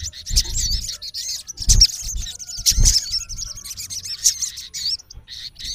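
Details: Male olive-backed sunbird calling to a rival in its natural habitat: high, thin chirps and twittering trills in quick, irregular bursts, with dull low thumps underneath.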